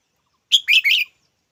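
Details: A red-whiskered bulbul calls once, a bright initial note running into two grating, chattering syllables, brief and loud against silence.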